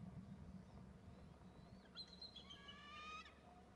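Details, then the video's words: An eagle calling after landing beside another perched eagle: a faint thin sliding whistle, then a ringing harmonic note that breaks into a fast, even run of chattering piping notes, against low background rumble. "perches next to the other & both call"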